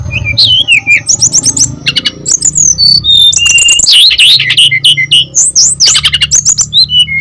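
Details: Brown-chested jungle flycatcher singing actively, used as a lure for other birds; a rich, fast medley of high whistled slurs, rising and falling notes and sharp clicks, with a steady low hum underneath.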